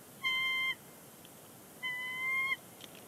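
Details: On their Big Bear Lake nest in January 2020, two bald eagles vocalize before leaving; a short level piping note followed by a longer one that swells slightly, over quiet background.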